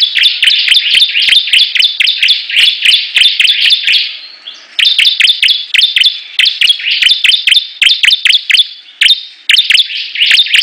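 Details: Ciblek, or Bar-winged prinia, singing in a competitive 'perang' bout: sharp, clipped high notes fire in quick regular series. A short pause near the middle holds a faint thin whistle, then the rapid ticking resumes.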